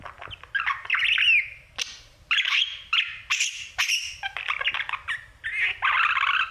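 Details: Male budgerigar kept as a pet, singing to his mirror: bursts of scratchy, buzzy chatter and squeaky whistles in short phrases separated by brief pauses, with occasional sharp high clicks.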